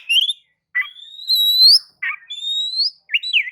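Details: Oriental magpie-robin lure song: a long smooth whistle rising slightly, broken by short scratchy notes, then a second drawn-out whistle and a final twisting note.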